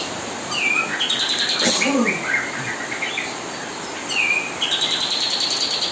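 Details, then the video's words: Kapas tembak tutoring song playing while young murai batu are fed; sweeping whistled phrases and quick chirp runs in two bursts, with a softer lower note in between and background hiss. "kapas tembak gacor nonstop menemani"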